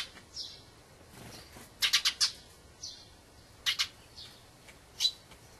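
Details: Dusky thrush, a winter visitor that has migrated from far northern lands, giving sharp high chattering calls in short bursts, some doubled or tripled, with faint broad rising notes between and quiet background noise.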